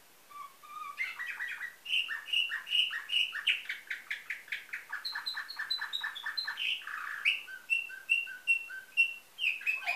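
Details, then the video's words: Nightingale-song canary from Varna, Bulgaria, 2013: low whistles, then long fast series of chopped notes and high repeated pips, ending in evenly spaced bright notes; rich, varied and continuous. "Bülbül ötümlü kanarya , canary - Nightingale"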